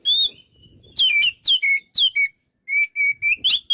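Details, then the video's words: White-rumped shama in vigorous song, a series of downslurred whistles followed by short repeated level notes, each phrase crisp and loud. "MASTERAN BURUNG KACER GACOR SEKALI"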